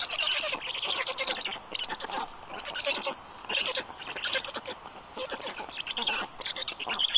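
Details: Three black stork storklets receiving dinner at an Estonian nest, 6:22 p.m. on 15 June 2022; hoarse, nasal rasping calls in uneven bursts about every second, loud and close.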